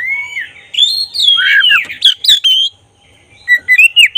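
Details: Vigorous black-breasted oriental magpie-robin song, used as a lure for emotion and tail opening: a steady whistle leading into dense, tumbling warbled phrases with sharp clicks, a brief pause, then quick rising chirps.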